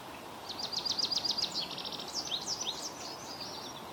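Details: Quick high twitter from an American goldfinch in Ontario: a rapid string of thin chirps running into varied slurred, wavering notes for about three seconds, with low steady ambient noise underneath.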